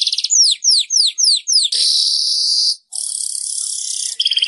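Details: Weaver song to encourage caged birds to sing again: a string of descending slurred whistles, then two long sizzling buzzes split by a short silence, ending on rapid doubled chips.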